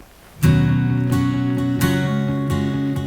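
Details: Acoustic guitar strums ring out in several chords after a brief quiet start.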